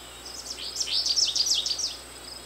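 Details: Lively warbling from an American goldfinch: a rapid string of high, jumbled chirps and thin rising-falling slurs, each phrase following closely on the last.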